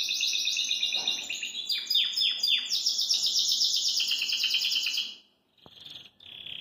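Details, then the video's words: Belgian canary singing in its cage: dense high trills interrupted by a series of sharp downward-swooping notes, then a long steady rolling trill that fades, followed by brief quiet whistles. "Canário Belga Dá Um Super Show de Canto"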